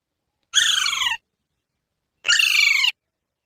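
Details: Rose-ringed parakeets kept as pets, heard in the morning while they are awake and active: two harsh, grating squawks about two seconds apart, each over half a second long. A squabble between the birds is remarked on right after.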